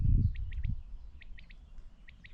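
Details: On 17 June 2024, over freshly mowed meadows near wetlands, a Common Quail gives its liquid three-note call, quick rising notes repeated about every second, thin and distant over low rumbling wind noise.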